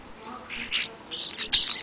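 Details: Short harsh squawks and a grating rasp from European starlings feeding one February afternoon before a blizzard, the final squawk the loudest.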